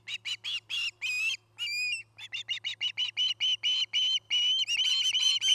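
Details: Osprey pair's nest in Charlo, Montana, on camera in 2018: a rapid, excited string of piping chirps, a few longer notes and a thin whistle mixed in, running almost continuously for over five seconds.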